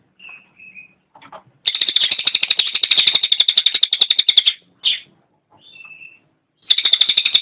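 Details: Cililin song master for training songbirds: a few soft whistles and chips, then a long, rapid, buzzy trill of nearly three seconds, more short whistled notes, and another trill beginning at the end.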